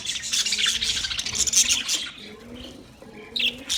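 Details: Budgerigars, recorded 9 March 2024, pour out quick high chirps and squeaky trills, fading midway then resuming, with faint low tones repeating underneath.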